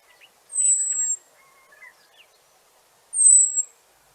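Common Blackbird giving two thin, very high seep calls, each a drawn-out whistle about half a second long, spaced over two seconds apart; faint bird chatter lower down.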